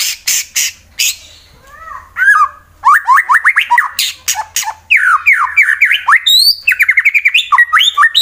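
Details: White-rumped shama of the fighter type, kept caged in Wonosobo, Central Java, Indonesia, delivering a rival-provoking song: harsh noisy bursts, then a long run of rapid slurred whistles, rising and falling, mixed with buzzy chatter and a quick trill.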